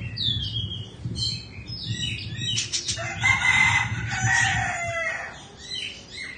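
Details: Caged Indonesian Oriental magpie-robin, described as a bird of two seasons, sings a rich, varied run of whistled and buzzy phrases, with a burst of harsh scratchy notes mid-song over a low background hum.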